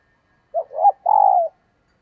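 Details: One brief phrase from a female spotted dove calling males: a short hoot, a swelling rising note, then a long level coo that fades downward.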